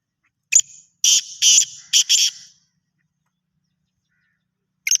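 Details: Black francolin calling: a short harsh note, then a quick rasping phrase of four grating, buzzy bursts within about a second and a half. Silence follows until another harsh note starts at the end.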